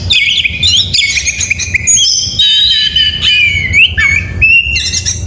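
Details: Morning song of an oriental magpie-robin: varied bright whistles, rapid slurred chirps and rising and falling glides in quick succession, strong and continuous, over a low steady hum.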